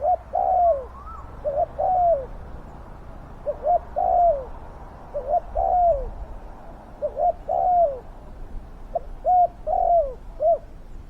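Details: Decoy spotted dove kept to lure wild doves, praised for its big, fierce voice. Phrases of short hooting notes run into a longer downslurred coo and repeat about every two seconds. A faint higher whistle is heard once.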